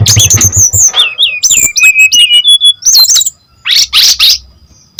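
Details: Brown-chested jungle flycatcher singing as a lure: high whistled and twisting notes, quick chips and a brief pure tone, then a fading pause and a few harsh bursts, over faint low hum.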